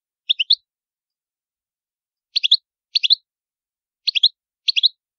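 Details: Sicilian goldfinch, Palermo antique style recording without background noise. Brief clusters of three quick high chirps, repeated at irregular intervals of about half a second to two seconds.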